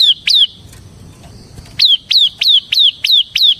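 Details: Bar-winged prinia (ciblek semi) song in the continuous ngebren style, used to lure and tutor other prinias. Two sharp, high, downslurred chips, a pause, then six more given about every third of a second.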